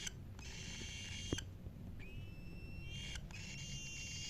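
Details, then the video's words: Cockatiel giving clear, harmonic-rich whistled calls: a held tone, then a slightly rising drawn-out whistle, and another sustained note, heard indoors with low background hum and a single sharp knock. "Cockatiel chirping sound"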